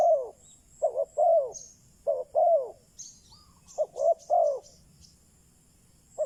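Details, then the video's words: Spotted dove serving as a decoy to bring in wild doves, giving three-note cooing phrases of two short hoots and a longer slurred coo, with small birds chirping brightly in the distance. "Chim cu mồi chuẩn thúc bổi, kích bổi nhanh nổi/ Burung Terkukur"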